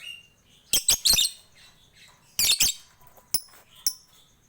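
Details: Lovebird singing in a lively chattering style, used as a master recording to prompt other birds to sing: two bursts of sharp, high, rapid chattering notes about two seconds apart, followed by a few isolated high chips.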